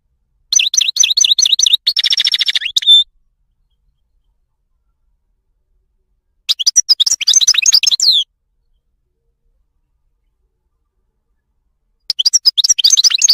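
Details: European goldfinch, wild, Morocco: a steady rattling trill, then a buzzy harsher stretch, followed after long pauses by two bursts of bright twittering song with falling slurred notes.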